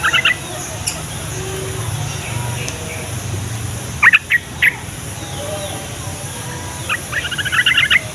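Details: Yellow-vented bulbul chattering song for luring wild bulbuls closer and making others sing. Scattered brief bubbly note groups, fainter at first, ending with a quicker run of chirps, over background hiss and low rumble.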